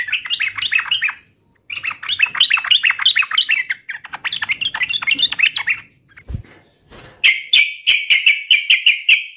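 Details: Singing Yellow-vented bulbul taunting a rival: three long rapid bubbly chattering phrases, a brief thud, then a steady run of repeated sharp whistled notes to the end.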